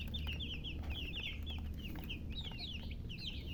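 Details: Baby chickens chirping: bright high peeps in quick runs, some rising and some falling, several chicks calling together over a low droning hum.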